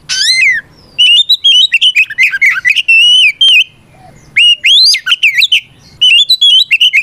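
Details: Oriental magpie-robin sings its fighting song to make rivals respond: rapid whistled phrases rising and falling, sharp upslurred notes and short buzzy elements, with brief gaps between bursts.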